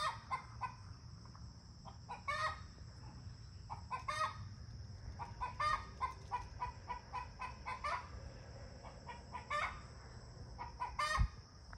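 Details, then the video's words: Chickens making their talkative morning calls: repeated short clucks and squawky bursts in irregular runs, over a steady high electrical whine. "My chickens making noise in the morning"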